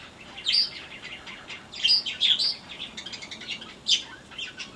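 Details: Aviary yellow-crowned parakeets chattering in sharp, high, twittering chirps, several quick notes bunched together in bursts about every second or two, with softer chatter in between.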